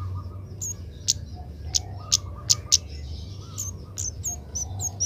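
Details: Young Oriental magpie-robin learning to sing, kept for training: a few sharp, high chirps in quick succession near the middle, with brief softer notes and a steady low hum underneath.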